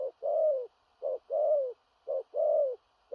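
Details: Big-bodied spotted dove giving a powerful 'thổ rặc' style coo, far-carrying and urgent with stuttering notes: a short low note followed by a longer slurred, slightly falling coo, repeated about once a second, in a quiet setting.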